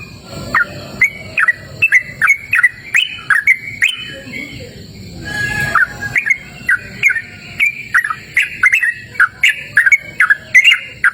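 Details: Yellow-vented bulbul in open, cool natural surroundings giving a run of bright chirpy, bubbling phrases in quick succession, with a brief pause near the middle where a soft rustling noise is heard, then the chirps resume.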